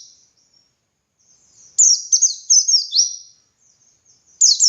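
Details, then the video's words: Dakun-type white-eye in full ngalas song, used for training other white-eyes: a faint thin note, then a loud chain of piercing high slurred notes descending stepwise, cut off before a fresh burst starts. "Masteran Suara Burung Pleci Gacor Ngalas Nembak Buka Paruh"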